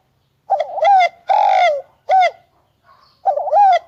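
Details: Spotted dove giving its cooing call: a soft, wavering opening coo followed by longer, steady, hollow coos, then the phrase starting again, with nothing else heard.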